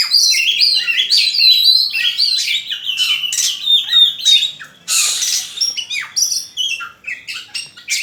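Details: Small bird in rapid, continuous song, chattering high notes, quick upslurred whistles and a burst of harsh buzzy noise midway, delivered at a fast, uneven pace.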